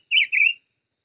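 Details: A brief burst of chim ngũ sắc song: two rapid, connected warbling whistles lasting about half a second, each wavering up and down in pitch, then silence.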